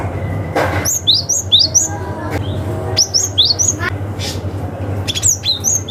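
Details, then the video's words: Cinereous tit from the wild, calling rivals, used as a lure for young forest birds: three quick bursts of high, slurred chirps, each run of several notes, over a low background hum with faint clicks. "SUARA gelatik batu ngalas manggil lawan"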